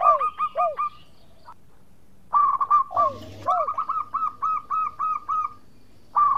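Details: Zebra dove, a local bird used as a lure for rivals, singing: phrases of curving, falling coos followed by long runs of short, repeated cooing notes with brief silences between bouts.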